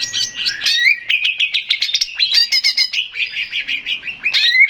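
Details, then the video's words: Male greater green leafbird, recorded as a lure to draw replies from other birds, pours out a dense, fast medley of bright whistles and sharp ticking notes with hardly a pause. "SUARA CUCAK IJO JANTAN‼️PANCINGAN CUCAK IJO BAHAN PASTI NYAUT DAN BUNYI"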